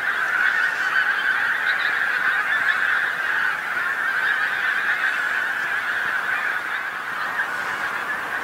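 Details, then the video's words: Evening flock of pink-footed geese landing on a field next to the A149, North Norfolk, England; many birds honk together in a steady, busy chorus that fades slightly near the end. "Pink-footed Geese North Norfolk"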